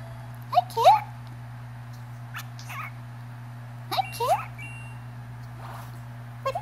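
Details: A pet cockatiel singing and talking to the household cat gives two short bursts of bending, speech-like whistles over a steady low indoor hum.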